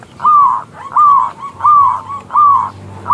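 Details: Local zebra dove, loud and clear-voiced, calling to prompt a male to sing: slurred notes that fall slightly in pitch, each followed by a short softer note, repeated about every 0.7 seconds.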